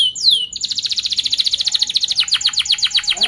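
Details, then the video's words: Canary song meant to teach young birds: a falling whistle, then a rapid, tightly packed rolling trill of high notes lasting nearly three seconds, ending in lower swooping notes. "Kenari gacor Cuit cuit Ngerol rapat seperti ini yG Paling Cepat MEMANCING KENARI PAUD BELAJAR BUNYI"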